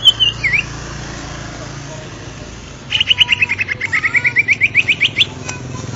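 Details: Caged Greater green leafbird (cucak ijo) singing: a brief swooping whistle, then after a pause a fast run of about twenty sharp, evenly spaced chirps that climb slightly in pitch, with a low hum underneath.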